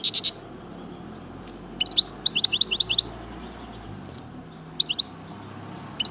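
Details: European goldfinch (chardonneret, Algeria, major) heard in brief clusters of sharp high twitters, a rapid five-note burst near the middle, over constant broad background noise.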